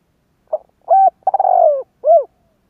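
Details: Spotted dove cooing in the 'giọng thổ' style to draw other doves into calling: one phrase of a soft short note, a hollow coo, a rattling drawn-out purr sliding down, then a closing rounded coo, with a quiet background.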